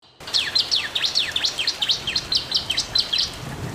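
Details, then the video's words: Bar-winged prinia, a master recording for prompting quiet or lazy caged birds to sing: rapid series of sharp, high chirps repeated about four times a second with steady rhythm, faint background hiss. "masteran burung ciblek"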